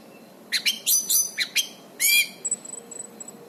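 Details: Orange-banded thrush in vigorous song, for use as a master recording for training birds. A quick series of sharp chattering notes and one loud downslurred phrase, then a few faint high thin whistles trailing off.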